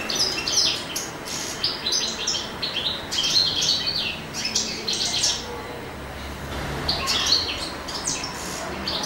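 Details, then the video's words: Courting male European goldfinch in spring, singing a lively, high-pitched medley of tinkling twitters and short buzzy trills, with one brief lull near the middle before the bright chatter resumes. "Canto di cardellino in amore"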